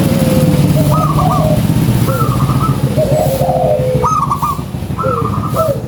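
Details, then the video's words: Local zebra dove, singing strongly, gives lure-call coos in short rolling phrases repeated about every second, over a steady low rumble of traffic. "SUARA PANCINGAN PERKUTUT LOKAL GACORRR"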